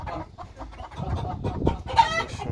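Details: Two-month-old Egyptian Fayoumi chickens clucking, low murmured notes building to a sharper, louder squawk near the end, over a background of room noise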